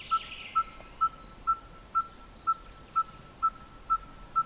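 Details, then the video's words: Monotonous anvil-like song of a Red-fronted tinkerbird calling with closed beak: ten identical short hollow notes, one every half second, very regular, with a faint higher bird call at the start. "Red-fronted Tinkerbird calling with beak closed"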